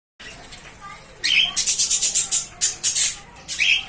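Budgerigar chicks give high, raspy chirps in a fast run of short bursts.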